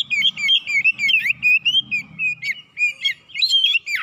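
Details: Oriental magpie-robin song used as a lure to provoke birds into fierce, full singing; a rapid run of clear whistled notes, trills and slurred chirps that flows almost without break, with a sharp falling note at the end.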